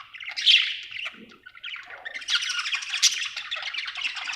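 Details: Happy budgerigar giving a loud squeaky chirp, a short quieter dip, then a dense unbroken run of buzzy chattering warble.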